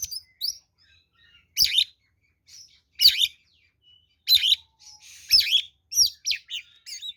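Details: Oriental magpie-robin in fighting song used to lure other birds: spaced bursts of harsh, buzzy and whistled notes, roughly one burst every second, with a few quiet thin notes between.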